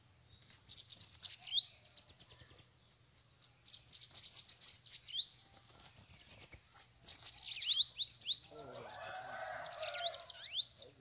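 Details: Several bananaquits (sibite) arriving at a trapping cage: dense high, sibilant chirping with fast stuttered notes and upward-slurred thin whistles, several birds overlapping, with a faint lower murmur near the end.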